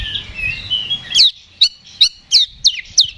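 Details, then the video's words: Oriental magpie-robin singing in the ngeplong fighting style to rouse another bird's response. A warbled opening leads into sharp, descending buzzy notes repeated about three times a second. "KACER GACOR NGEPLONG TARUNG !! PANCINGAN KACER PALING AMPUH BUAT MENAIKAN EMOSI KACER AUTO RESPON"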